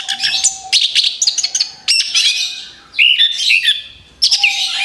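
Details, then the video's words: Song of an orange-headed thrush, played rapid-fire as a lure for other birds: bursts of high chirps and rich warbled phrases separated by short pauses, with a low steady hum in the background. "TEMBAKAN BERUNTUN SUARA ANIS KEMBANG BUAT PANCINGAN MAUT"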